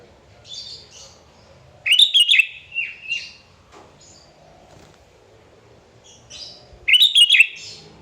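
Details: Lively sooty-headed bulbul song meant to draw rivals into singing. Two loud bursts of tumbling, warbling notes sit about five seconds apart, with quieter scattered chirps and short whistles between them.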